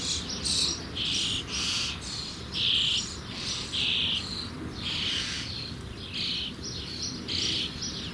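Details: Common starling young, Sturnus vulgaris, about to fledge, repeat short, wheezy, hissing calls, about nine over eight seconds. They come in a steady rhythm of husky bursts, some with a slightly tonal centre.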